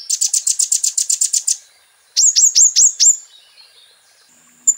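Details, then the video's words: A sunbird sings a fast, high twittering run of about a dozen even notes, then five sharp, downslurred high whistles in quick succession. "MASTERAN KOLIBRI NINJA FULL ISIAN"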